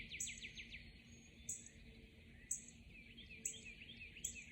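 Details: Dawn chorus with a bird repeating a short, very high sharp note about once a second, plus a lower rapid trill of descending notes near the start and soft chirps, over faint background noise.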